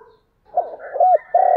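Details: Fragment of a spotted dove's morning lure call for attracting wild doves: soft low notes building into an arched coo, then a sustained mellow coo cut short.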